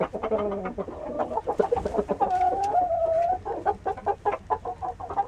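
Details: Saigon green-legged rooster giving rapid, uneven clucking notes, broken in the middle by a drawn-out, slightly wavering tonal call of about one second before the choppy clucks resume, over a busy, noisy background.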